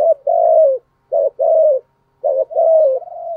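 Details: Spotted dove lure bird for provoking rival males, repeating three low coo phrases, each a short rough note followed by a longer, gently falling one, with clear pauses between.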